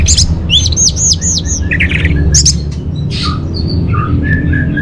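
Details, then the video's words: Orange-headed thrush singing, a recording meant to lure and train caged birds: quick series of high looping whistles, then scratchy chirps and short level whistled notes over a strong low rumbling background. "Bikin Geger ANIS MERAH Dirumah Pasti Gacor || Pancingan sekaligus Masteran Burung Punglor"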